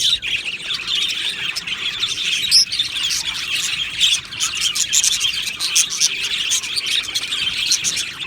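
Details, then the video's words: Many budgies in an aviary colony chirping and singing: constant high, bubbling warble with crisp repeated chirps and clicks over the whole span. "Beautiful Happy Budgie singing and chirping sounds"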